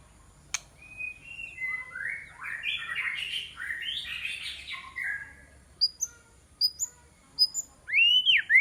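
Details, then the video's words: White-rumped shama singing as a decoy to lure rivals: a long rich warbled phrase of blurred, descending notes, followed by high thin whistled chips and a rising sweep at the end. "Choè lửa mồi chiến shama bird"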